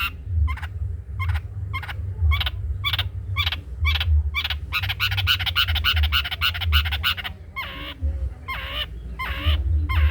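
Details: Cendet trotol: a long-tailed shrike's master song for tutoring other birds, a long busy series of rapid repeated harsh notes that speeds up mid-phrase before slowing into separate slurred calls, with a droning low hum.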